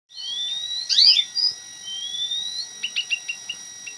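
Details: Munia song used as tutor song for training an oriental magpie-robin: a sharp sweeping twitter, long thin rising whistles, then a series of short clipped chips repeated about every quarter second, over a constant electronic tone.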